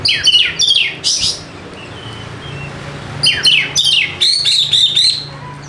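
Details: White-rumped shama lure song for birds reluctant to sing: two bursts of sharp, falling chattery notes with a long gap between them, ending in a run of repeated high whistled notes.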